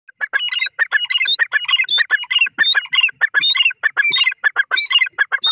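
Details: Grey francolin, known locally as teetar, giving a loud, harsh, rapidly repeated series of squawking notes, dense and slightly overlapping, at roughly one and a half notes per second throughout, with no other clear sounds.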